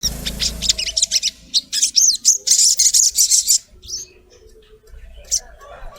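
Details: Female collared kingfisher calling the male: a fast run of harsh, buzzy high notes, repeated about twice a second for over three seconds, then fading into quieter, scattered chirps with faint background hum.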